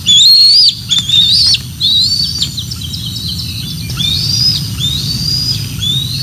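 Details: Bald eagles at the Decorah North nest on 06 12 2024, as the female arrives with a fish and two eaglets return to feed: high, thin whistled chirps, each slightly rising, repeated roughly once a second, over low steady background rumble.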